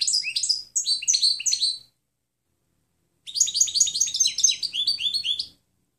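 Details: European goldfinch clean song for tutoring other birds: two quick liquid twittering phrases of high, jumping, slurred notes, separated by a pause of more than a second, with no other sounds.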